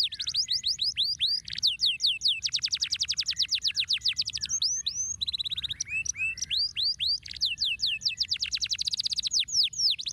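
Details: Stimulating canary song, long and unbroken: fast rolling trills of high sweeping notes alternating with brief whistled and chattering phrases, loud and clear over faint low background hum.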